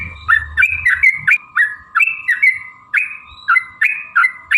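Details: Sooty-headed bulbul singing a lively sequence, used as a lure to make other bulbuls sing: short bubbly, slurred notes in quick uneven runs, with a steady faint whine held underneath throughout.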